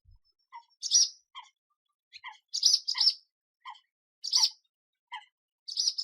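A swallow gives bright, sharp twittering chirps in short bursts, roughly one to two seconds apart, against an otherwise quiet background.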